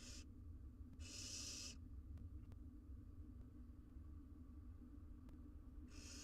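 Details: Barn owl nestlings, four wild young cuddling in a monitored nest box with the mother away, produce harsh snoring hisses; one loud breathy burst near the start, a short one earlier and another at the end, with constant low rumble between.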